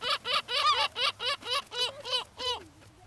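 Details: Seagulls gathering for food on the sand at Brean, Somerset, England, one April spring day in 2013; about eight loud, evenly spaced laughing yelps in a steady series, fading at the end into a quiet trailing note.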